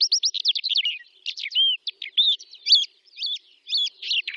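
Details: Calandra lark singing in the Astrakhan steppe, Russia, in May 2017: a fast, jumbled song of high chirps, buzzy trills and slurred whistles, with brief pauses between bursts.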